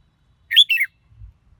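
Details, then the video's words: A red-whiskered bulbul sings one crisp phrase, a rising whistled note then a falling warble, followed by a soft low thump in otherwise quiet surroundings. "Chào Mào Hót Hay Nhất"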